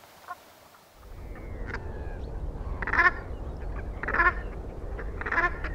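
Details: Brant goose uttering gruff, rasping calls spaced roughly a second apart, preceded by a faint short note, with a constant low rumble of wind or surf underneath.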